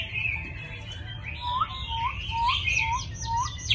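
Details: Caged Chinese hwamei from Vietnam, noted for eager singing and a fine voice, giving a run of short rising whistles repeated about twice a second beneath brighter high notes, over a low background hum.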